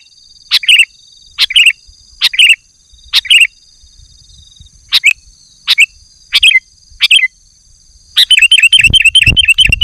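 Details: Sooty-headed bulbul calling to attract wild bulbuls: short, sharp slurred notes about every second, then a sudden quick, rattling run of repeated chirps, with a steady high hum behind.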